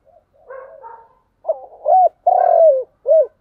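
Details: Spotted dove, thúc gù coo: low soft preliminary notes, then a rough stuttered note, a rising-falling coo, a long throaty falling coo, and a brief arched final note.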